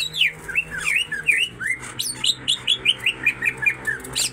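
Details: Greater green leafbird pair, female and male, singing hard with tengkek (kingfisher) mimicry: a run of short slurred whistles, later settling into evenly spaced rising-falling notes roughly four per second over a low steady hum.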